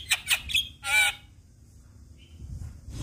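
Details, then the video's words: Javan myna singing to provoke other mynas: three quick harsh squawks and a longer grating note, then near silence with a faint thin whistle. "Semua Burung Jalak Langsung Buka Suara Dengar Kicauan Jalak Kebo Ini"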